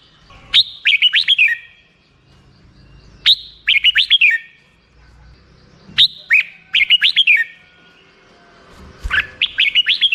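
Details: Red-whiskered bulbul song: lively whistled phrases of five or six rapid, descending notes, repeated about every three seconds in a clear, clean recording.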